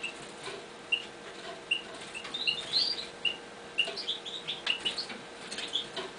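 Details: Captive Eurasian bullfinches in a new cage give soft, short piping notes about every half second, mid-high in pitch, over light tapping, fluttering and rustling.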